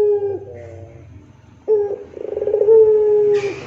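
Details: Puter pelung barbary dove finishing one coo, then a crisp opening note, a rolling stutter and a long sustained low rintihan tone, closed by a short noisy rustle.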